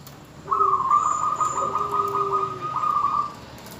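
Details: Female zebra dove calling for the male, meant to bring him into song: one long rapid stuttering coo of almost three seconds, with a softer lower tone running beneath it.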